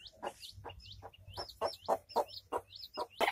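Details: Village hen with her chicks: low rhythmic clucks about four per second, overlaid by the chicks' high, curling peeps.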